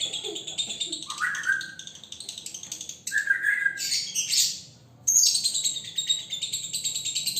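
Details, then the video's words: Caged single male lovebird in training, singing konslet style: dense grating chatter broken by short rising-then-level whistled notes, a sudden two-second silence near five seconds, then a fresh burst of continuous buzzy trilling. "Love Bird Jantan Prospek Konslet"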